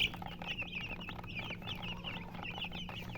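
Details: Chorus of baby chicks giving rapid high peeps that overlap without pause, over a steady low hum in the background.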